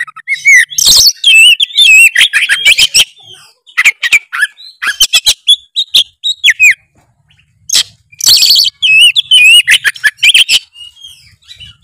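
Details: Kacer, the Oriental magpie-robin, singing hard in gacor style as if challenging an opponent, meant to prompt a quiet bird to sing: rapid, dense stream of sharp chips, warbled whistles and scratchy notes, nearly continuous.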